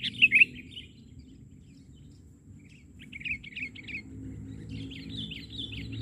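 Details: Sooty-headed bulbul, an eager singer, calling from the ground during bird trapping; one loud opening chirp burst, then softer scattered notes and a faint warbled run, over a constant low hum.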